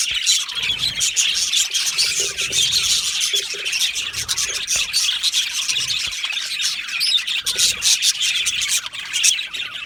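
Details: Budgerigars in a colony aviary chirp and chatter nonstop, a dense high twitter with scattered harsher squawks and brief whistled notes.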